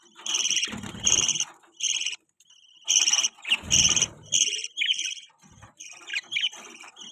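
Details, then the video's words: Newborn budgerigar chicks chirping in loud, bright bursts of high, harmonic-rich squeaky calls, each lasting under a second and coming in irregular clusters, with occasional low thumps beneath. "Budgie Chirping Sound | Budgie New Born Baby"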